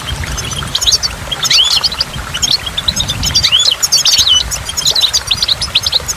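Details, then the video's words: Waterfall setting with goldfinch song: busy high twittering with a few clear upslurred whistles, steady liquid chatter and a soft water rush below. "in the waterfall stimulates goldfinch and water drops"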